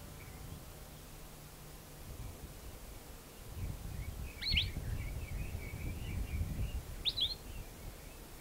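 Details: Palila, an endangered Hawaiian forest bird of the subalpine forest on Mauna Kea, island of Hawai'i. Two sharp, bright chirps sweep downward about two and a half seconds apart, with soft twittering between them over a steady low rumble.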